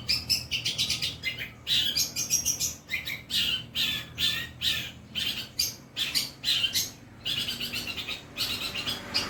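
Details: Long-tailed shrike kept as a cage bird, delivering mimicked song phrases. Loud, harsh chirps and buzzy chattering notes repeat in uneven bursts of one to two per second, with brief gaps and faint low background hum.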